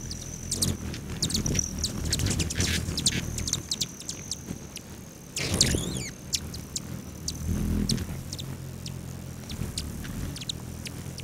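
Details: Hummingbirds feeding outside guest rooms at a lodge near Great Sand Dunes National Park, Colorado, on a July morning. A long, high, humming whine runs beneath scattered sharp chips, with a brief rushing burst in the middle.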